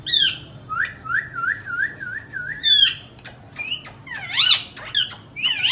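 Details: Indian ringneck parakeet making a run of six wavering whistled notes at an even pitch, bracketed by harsh squawks, then clicks and swooping screeches.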